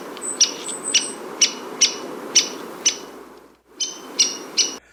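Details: Downy Woodpecker giving its characteristic very high, sharp pik (cheping) notes, about two per second, with a brief pause midway; faint higher squeaky notes at the start.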